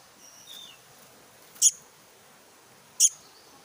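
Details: Black-naped monarch chick calling: a faint thin whistle at first, then two sharp, very high, brief notes about a second and a half apart over a quiet background.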